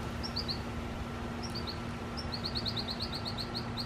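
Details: American goldfinch perched in a tree, coming to drink water: quick bursts of short, high, bright chirps, first in twos and threes, then a longer run of about a dozen notes, over low background rumble.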